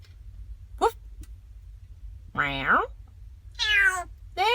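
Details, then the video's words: African grey parrots, fourteen birds riding together in a car, give loud harmonic meow-like wails that rise and then fall, three in under five seconds, after a brief earlier squeak, in a quiet small interior. "A car full of African Grey Parrots sound like this."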